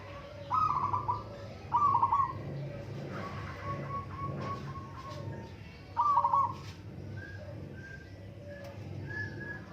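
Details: Three trilled coo phrases from local zebra doves in a singing contest, with softer, thinner notes from other doves in the gaps and a low rumbling background.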